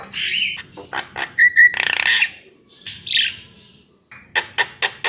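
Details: Javan myna alternating clear whistled notes, short twangy upslurs and a loud rasping burst, ending with four evenly spaced sharp clicks.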